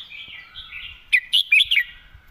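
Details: Short 'mae bot' phrase from a red-whiskered bulbul: a murmured warbling lead-in followed by four crisp, loud, bouncing whistles in quick succession, with a faint steady lower tone underneath.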